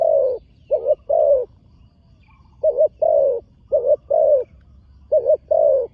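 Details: Deep, mellow cooing from a young trained spotted dove on an earthen competition ground for the first time: groups of short and long coos separated by a short pause, quiet surroundings.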